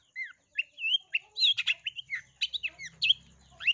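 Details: Long-tailed shrike performing a lure song for prompting quiet shrikes to sing, with sparrow-imitating fill: high downslurred whistles and twittering chirps building into dense harsh chatter, a faint low hum underneath.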